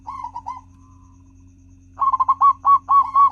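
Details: Local zebra dove song used as a lure to get other doves singing: a short soft cooing phrase, a pause, then a loud fast run of hooked, rolling coos around one pitch, with a steady low hum behind.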